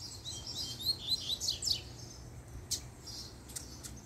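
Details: Captive male-and-female coleiro pair; as the female appears the seedeater gives a quick run of clear, high, downslurred whistled notes in the first two seconds, followed by a few isolated sharp clicks against a low hum.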